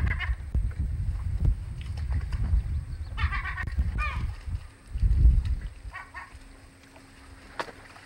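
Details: Great black-backed gull at the Audubon Boathouse nest, recorded 2 August 2020; a few short harmonic, wavering cries in the middle, heavy wind rumble and low background noise throughout.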